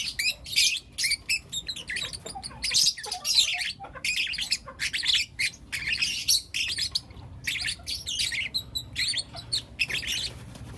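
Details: A group of four young lutino lovebirds in the morning, keeping up lively, continuous high-pitched chatter of squeaky chirps and harsh squawks in dense runs with short breaks.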